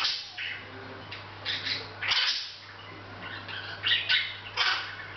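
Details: Hahn's macaw kept indoors, chatting a little without noticing the camera; scratchy squawks and clipped chirps come in irregular groups, some louder bursts near two and four seconds, over a low hum.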